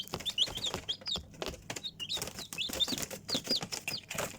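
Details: Young chickens producing quick, shrill peeps that dip in pitch, several per second from more than one bird, alongside crisp clicks and scratching sounds.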